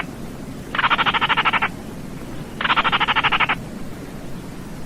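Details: Baillon's crake repeating a dry, croaking rattle twice, each about one second of fast regular clicks, two seconds apart, over a soft hiss.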